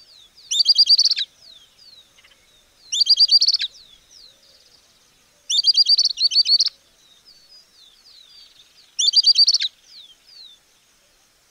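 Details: Southern Beardless-Tyrannulet in Argentina: a high, rapid series of sharp chippy notes delivered in bursts of about half a second, repeated roughly every three seconds, with faint soft notes between bursts.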